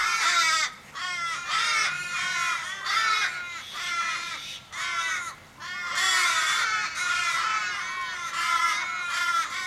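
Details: Distressed Australian ravens, more than fifteen, circling an injured raven in suburban Kellyville, Sydney, 1 July 2012: strings of drawn-out harsh caws falling at the end, several birds overlapping, with short gaps between bursts.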